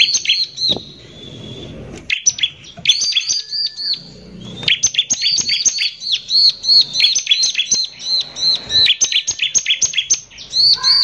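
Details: Harsh 'nembak kasar' song of a bar-winged prinia in full voice, used as a lure to stir up other prinias; fast strings of high chirps and buzzy notes run almost continuously with short breaks.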